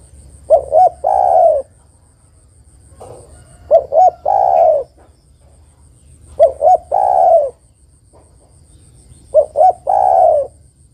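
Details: Spotted dove female calling to a male, three phrases each made of two quick clipped coos and a longer mellow, descending note, spaced roughly three seconds apart over low background hum.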